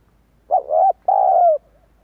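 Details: Lure call of a spotted dove played to attract wild doves: a quick opening coo joined to a level hollow note, a brief pause, then a longer drawn-out coo that sinks a little at its end, with nothing else heard.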